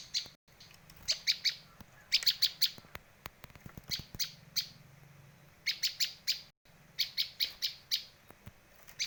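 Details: Prenjak lancur, the bar-winged prinia, giving a luring and tutoring call: crisp high chirps in quick bursts of three to six notes separated by short pauses, with faint clicks between bursts.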